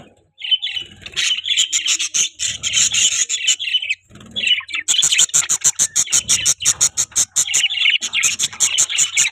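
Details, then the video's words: Several pet budgies chatter in a dense, scratchy warble, turning after about five seconds into fast, regular ticking pulses with squeaky notes layered above, steady to the end. "Budgies Chirping Sound"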